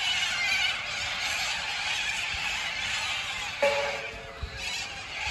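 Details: A steady wall of harsh, overlapping screeches from a large little corella flock in a tree at a campsite in Karumba, Carpentaria, Australia, with one lower, honking call standing out near the end.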